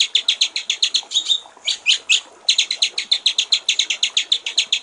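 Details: Master recording of a white-rumped shama for training songbirds, a clear 'gericik air' style: fast, steady series of high chattering notes, a brief break with a few slurred whistles, then the rapid run resumes.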